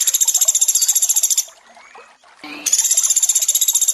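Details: Sunda pygmy woodpecker with water in the background, made for training sogon: a long rapid high trill, a gap with murmuring water and a short lower note, then the fast buzzy rattle resumes.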